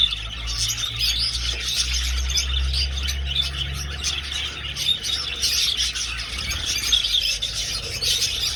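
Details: Budgerigars flying in an old aviary: dense, continuous high chirping and chattering from many birds at once, with a steady low hum underneath.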